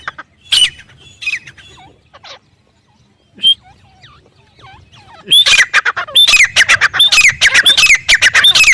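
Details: Grey francolin calling in the jungle: scattered thin chirps and quiet notes at first, then from about midway a loud, fast series of shrill, metallic, downslurred notes builds and runs to the end.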